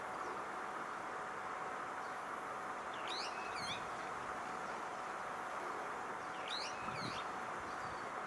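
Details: A brown-eared bulbul in Odawara, Kanagawa, Japan, 21 June 2014, gives two bursts of shrill, squealing notes sweeping sharply up and down, about four seconds apart, over steady rushing noise and a faint hum.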